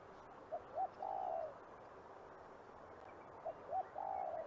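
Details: Calls of a spot-winged pigeon: a brief low note, a short hiccup note, then a longer drawn-out note sliding gently downward, repeated twice with quiet pauses and faint background noise.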